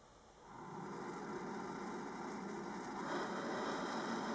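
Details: Two young turkey vulture chicks, hatched under a cabin-trailer in northern Minnesota, hiss when disturbed, recorded through a hole in the siding: a harsh, breathy roaring hiss that swells and grows louder near the end, with two faint whines underneath.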